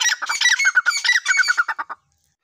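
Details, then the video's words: Dakhni (desi) teetar, a grey francolin, giving a rapid series of harsh, squawking notes that stutter along for about two seconds, then stop abruptly into silence. "Dakhni teetar voice"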